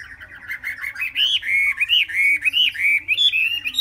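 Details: Three-month-old Chinese hwamei singing a run of clear, looping whistled phrases that rise and fall, each note curling upward, delivered quickly and continuously for about four seconds with no other sounds.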